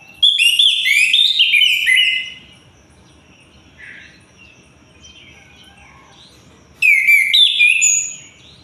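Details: Orange-headed thrush (anis kembang), singing vigorously day and night: a loud two-second burst of rich, fast-changing whistles and slurred notes, then soft scattered chirps, then another loud whistled phrase near the end.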